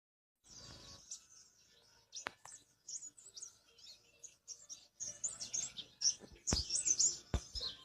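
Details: Natural song of a black-winged flycatcher-shrike: a high, scratchy twitter of rapid chirps that grows louder toward the end, with a few sharp clicks in between.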